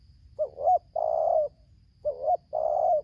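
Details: Tekukur, or spotted dove, a wild bird lured by a decoy in Lampung, Indonesia, in tarik akar selang nguku song style: two low phrases, a wavering short coo leading into a long sustained croon.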